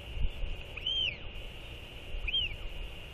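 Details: After feeding their chick, northern royal albatrosses skycall to each other with two clean, high, arching whistles about a second and a half apart, heard over continuous wind hiss.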